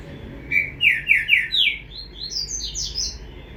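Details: Green-winged saltator chick delivering a rapid run of about nine bright slurred notes, the later ones climbing higher, over a steady low hum.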